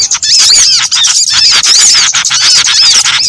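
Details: Combined calls of small birds used to lure birds into traps: thick layers of shrill chirps with clear looping whistles repeated several times a second, loud and continuous.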